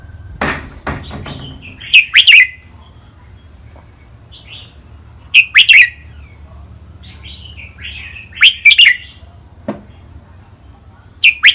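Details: Caged red-whiskered bulbuls, a training song of the rik, beul, lak wai, mae bot and nap dok styles. Short bright whistled phrases about every three seconds, each a quick burst of liquid notes with softer warbling between them.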